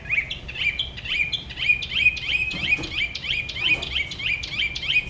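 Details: Solo-singing spot-throated babbler from La Ba river at Da Lat, a regional singing style: a quick, jumbled stream of short chirps and downslurs, nearly three notes per second, over soft background noise.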